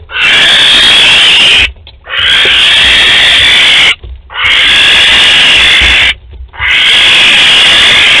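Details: Barn owl pair visiting their nest box at Théding, France, on 12 May 2020: long harsh hissing screeches, each about two seconds, repeated four times with short silent gaps.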